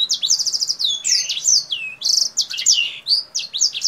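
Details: Kingthroat singing energetically with high and low notes while opening its wings, its song likened to a black-throated canary's: rapid, varied high chirps and whistled slurs, some falling sharply, in a dense continuous stream.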